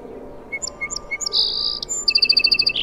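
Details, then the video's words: A Song Sparrow sings a few spaced, sharp opening notes, then a buzzy phrase and a quick trill of bright repeated chips ending in a buzz. "Bird sound - Song Sparrow"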